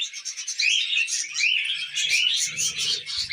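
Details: Tamed budgerigars chattering over millet: busy high warbling with short rising whistles and raspy notes, several birds together, soft low knocking and rustling toward the end.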